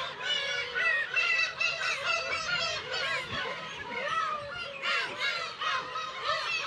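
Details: Black-tailed gull colony on Kabushima, Hachinohe, Aomori Prefecture, Japan, early summer (10 June) with chicks; many birds give drawn-out mewing wails and honking cries, several close calls standing out over a constant crowded background.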